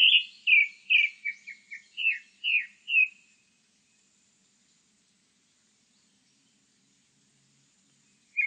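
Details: Song of a grey-backed thrush: a run of about eight clear, slurred whistles delivered rapidly and unevenly over three seconds, with faint high squeaky notes above, followed by quiet until a new phrase begins.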